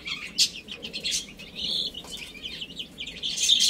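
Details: Chicks chirping while they eat and play: piercing high peeps in quick runs, with one longer, steady, even-pitched note near the middle and rustling taps mixed in.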